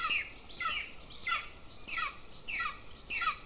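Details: Two golden eagle chicks at a nest in Lahemaa, northern Estonia, at breakfast on 25 June 2024. They give thin, high, downslurred squealing chirps about every two-thirds of a second over a soft hiss.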